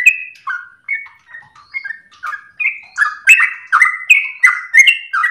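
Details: A sooty-headed bulbul, recorded as a training and lure song, starts with a few spaced whistled notes. It then speeds into a loud, tight sequence of bubbling, sliding phrases.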